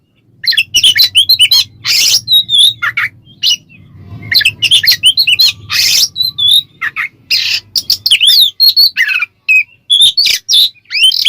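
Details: Oriental magpie-robin (kacer), ngeplong song used as a lure to provoke other magpie-robins: loud, rich, rapid bursts of sweet whistles, harsh rasping notes and mimicked phrases, near-continuous, with a low rumbling hum behind.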